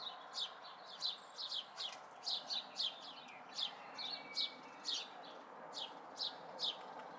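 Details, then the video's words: Local house sparrow fledglings, May 2020: a run of bright, slurred chirps, sometimes doubled, coming every half second or so above soft broadband ambient noise. "House Sparrow Fledglings"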